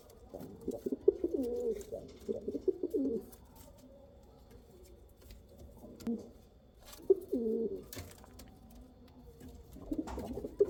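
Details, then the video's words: Pigeon coos come in several separate bouts, each a throaty burbling phrase of a second or two, with quiet pauses between them. "Pigeon sound | kal cheeni kabutar sound | Rampuri kabutar sound"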